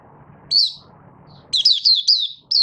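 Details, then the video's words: Oriental white-eye from Malaysia giving its buka sing opening song while still building form; a single high downslurred chirp, then a rapid string of sharp, falling notes, over low background noise. "Malaysian Mata Puteh - Buka Sing"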